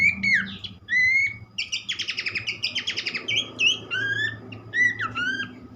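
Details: Horsfield's babbler song played to get other babblers singing: sliding whistles, a long run of rapid rattling notes, then clear rising and downslurred whistles with a soft low hum behind.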